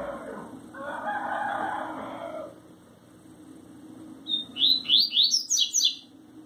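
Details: Coleiro, or double-collared seedeater, owned by a Sergipe keeper, singing tui tui zel zel: a low noisy rustle first, then after a pause a high whistle and a burst of fast rising slurred notes.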